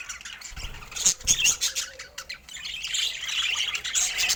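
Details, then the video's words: While feeding, budgerigars mix short harsh squawks and chirps, a few louder bursts early, then a steady wash of warbling chatter from several birds toward the end. "Budgie Nutrition Basics with Sweet Sounds and Feeding Joy"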